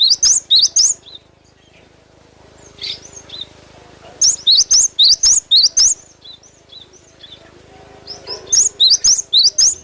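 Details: Cinereous tit singing as a lure to train caged birds: clear, high whistled phrases of rapid rising notes, delivered in three separate bursts with quiet gaps and a faint buzzy note between them.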